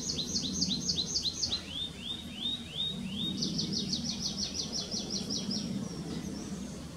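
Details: Tree pipit song: a fast series of bright high notes, then a run of slower descending slurred notes, followed by another rapid trill of sharp high notes, with a low rumbling background throughout.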